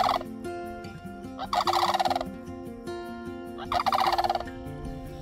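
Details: A pair of sandhill cranes at Paynes Prairie near Gainesville, Florida, give two very loud, rolling, rattling bugles about two seconds apart, each a rapid burst of trilled notes, over soft steady music; the volume was turned down.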